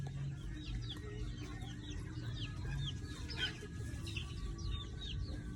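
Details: Many chickens in a backyard give short, high, down-slurred peeps and chirps that overlap in a steady chatter, over a low background rumble.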